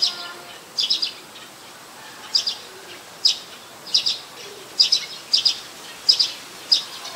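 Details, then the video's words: Ubon Ratchathani, Thailand, 4 February 2020: a Streak-eared Bulbul calling with short piercing high notes, mostly in close pairs, at uneven intervals of under a second. "นกปรอดสวน : Streak-eared Bulbul"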